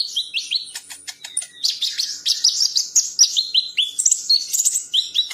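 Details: Bird song for training champion birds: a rapid, high-pitched medley of short whistled notes and trills, many slurred downward, interspersed with sharp clicking chips, delivered continuously with no pauses and no background noise.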